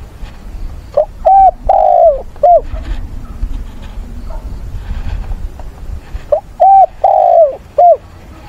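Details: Decoy spotted dove giving its fighting song and calling to mates to stir up wild doves, recorded on a weekend, 6 September. Two full phrases of four deep, soft coos about five seconds apart, the third note drawn out, with faint rustling between.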